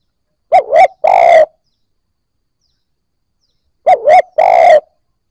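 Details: Recently trapped spotted dove starting to coo, meant to stimulate newly caught birds: two phrases of paired short hoo notes and a trailing rough croo, roughly three seconds apart, otherwise quiet.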